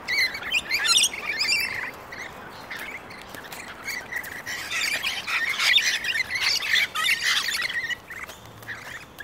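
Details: Australian rainbow lorikeets, aggressively territorial pairs battling on the ground; shrill, high chattering screeches arrive in clustered bursts with short pauses between them, over a light steady background hiss.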